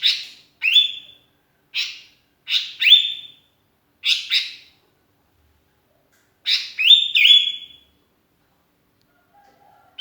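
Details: Sooty-headed bulbul calling to companions, used as a lure; sharp harsh chirps, some with brief whistled endings, in small clusters separated by a silent stretch of about two seconds.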